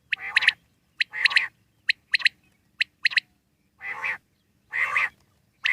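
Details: Wild common quail uttering clipped three-note phrases about once a second, mixed with some harsher, nasal, broad-toned calls.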